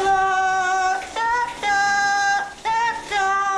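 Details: Male yellow-naped amazon in New Jersey singing opera in the shower: long, held, vibrant humanlike notes that step up and down, with short breaths between phrases, in an echoing room.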